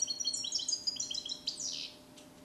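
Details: Trained European goldfinch in a carrier cage, Neapolitan-style song: a brief stretch of rapid, high twittering and trilled notes ending in a sweeping buzzy note, over a low background hum.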